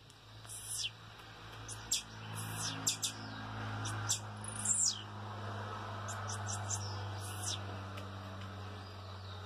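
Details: Blue-black Grassquit recorded on 25 March 2023, giving short, high, sharp buzzy notes in irregular bursts over several seconds, with a steady low hum underneath throughout.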